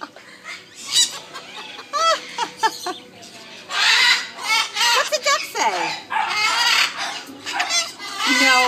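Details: Parrot in a Fort Myers, Florida pet store runs through a string of mimicked sounds, harsh squawky bursts and sweeping whistled notes, while a person keeps asking what a duck says.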